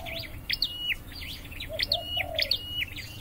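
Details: Caged Scarlet-headed flowerpecker in training sings rapid, very high zigzag chirps joined by flat whistled notes. A softer, lower cooing sound comes from another bird in the background.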